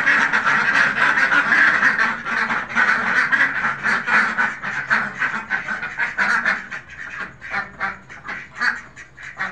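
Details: A flock of farmed Khaki Campbell ducks quacking rapidly, nearly four harsh quacks a second, loud and crowded at first, then thinning into softer, separate calls.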